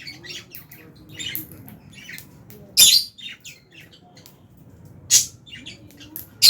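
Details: Fischer's lovebirds and albino lovebirds in an aviary colony, chirping while eating food; short high chirps and sharp squeaky bursts scattered irregularly, with a loud burst near three seconds and again near five seconds, over low background rumble.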